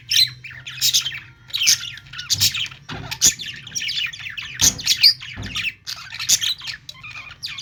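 Budgerigars chatter in continuous scratchy, warbling chirps and squawks, high-pitched bursts every half second or so, with a faint low hum behind.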